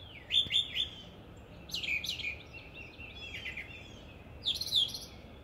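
A nightingale sings short, varied phrases of rapid high notes and sweeping trills, with brief pauses between bursts, over a steady background hiss like wind or running water.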